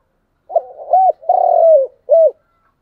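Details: Spotted dove lure bird's morning call for attracting wild doves, one clear deep phrase: a couple of short hoots, a long steadily falling coo, then a short final coo.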